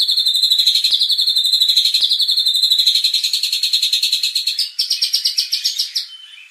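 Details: White-rumped shama provocation song for contest birds; a fast, even, buzzy trill of pulsing notes that shifts slightly higher midway, then fades.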